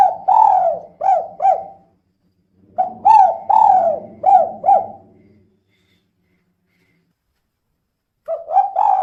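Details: Female spotted dove calling, used as a lure so other doves start to sing; two phrases of four or five rounded, falling coo notes, then the start of a third, over a low rumbling background.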